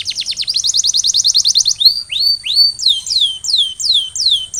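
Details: Canary song meant to set other canaries singing: a loud, rapid, high trill of repeated notes, then drawn-out whistles that rise and then drop steeply, repeated at an even pace.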